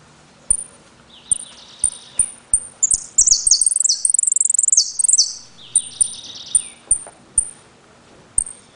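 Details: Caged saffron finch from Trenque Lauquen singing the "El Correntino" style with repique, golpe and pitadas: sharp high whistled pips repeated about every half second, interleaved with descending buzzy trills and a dense rapid chattering burst in the middle.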